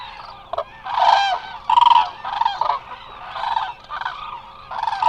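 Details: A resting flock of many Eurasian cranes at Israel's Hula Nature Reserve, recorded by a live webcam; bursts of harsh, rolling trumpeting calls come roughly every second, several birds calling over one another.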